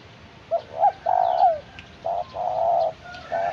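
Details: Spotted dove in early training as a decoy bird, cooing outdoors: a few short soft notes followed by long low hollow coos in two phrases, over steady background hiss with faint higher bird chirps.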